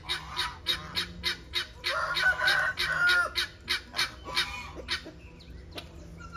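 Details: Helmeted guineafowl at a breeding farm, called the male's song after the birds chased about: harsh, rasping one-note cackles, about three a second in a steady run, with faint chirps from other birds behind.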